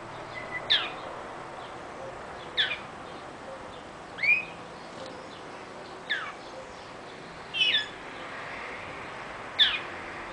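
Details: Young mule bred from a male linnet and a female greenfinch. It gives six separate phrases of sharp chirps and a rising whistled note, about every two seconds, with quiet hiss between them.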